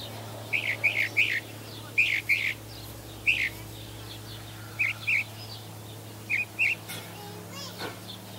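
A Northern mockingbird sings bright, chirpy notes in quick groups of two or three, with short pauses between phrases, over a low steady hum.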